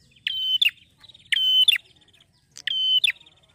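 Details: A male prinia sings three high phrases, each a sharp note, a steady thin whistle and another sharp note, repeated about every 1.3 seconds, against a quiet background.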